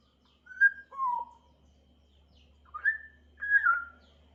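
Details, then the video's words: Chirping African grey parrot gives clear whistled notes: a short high whistle dropping to a lower one, a pause, then two more level whistles, in an otherwise quiet room with faint hum. "Burung African grey berkicau"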